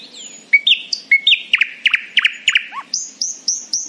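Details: Nightingale in cheerful morning song: a whistled rising note, then a run of loud even chips about four per second, and a final set of repeated high clipped whistles.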